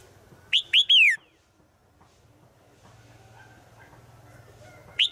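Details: Female bird calling for a male in the woods: three ringing whistled notes, the last drawn out and falling, followed by low background hum and a final single note.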